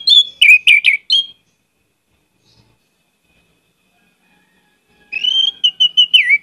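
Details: Lively Orange-headed thrush lure song: a quick run of bright whistled chirps, a long silent gap, then a warbled phrase of sustained whistles ending in a downward slur.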